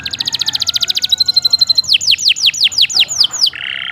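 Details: Canary song for training other songbirds: a quick high rattle, a thin sustained tone, a series of about ten curving downward whistles, then a harsh buzzy phrase at the end.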